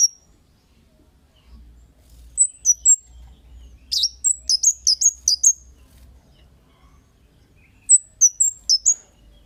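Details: Kemade calling to draw responses from other birds. There are three runs of high, sharp descending chirps, the middle one longest and densest, over a faint low background hum.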